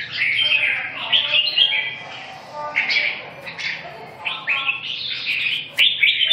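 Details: Red-whiskered bulbul song of lively warbled notes, looping up and down in short phrases, the notes coming in clusters with brief pauses, over faint low hum and a sharp click near the end.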